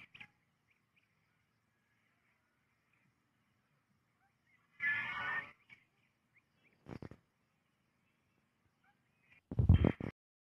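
A goose gives one nasal, harmonic honk lasting about half a second, then a brief clipped note and a louder, rougher burst near the end, with quiet between.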